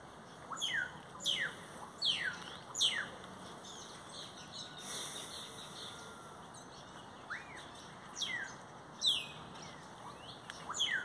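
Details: Singing great-tailed grackle (Quiscalus mexicanus): a rapid series of four sharp, downward-slurred whistles, a short noisy pause, then scattered rising and falling whistled notes with crisp high chips.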